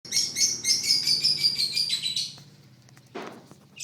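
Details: Long-tailed shrike song: a rapid string of high, buzzy chattering notes repeated about every quarter second for two seconds, then a brief pause, a short harsh rasp and a final high note; faint low hum underneath.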